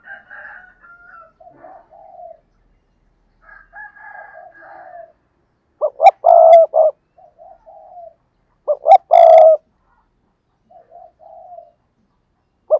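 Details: Spotted dove used as a decoy, with two strong coo phrases of clipped notes and a long rolling coo. Quieter dove coos and a higher faint whistling fill the gaps.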